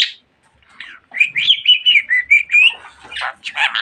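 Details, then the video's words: Pet budgerigar producing a sustained wavering whistled warble that rises and dips, followed by short harsh chattering syllables. "Muhabbet Kuşu Çimen Çok Konuşuyor.~Budgie Grass Talks a Lot"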